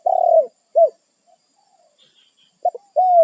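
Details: Wild spotted dove calling its companions, a territorial bird: a low, hoarse, slightly falling coo, then a short arched coo, a pause, and another clipped double note leading into a long coo.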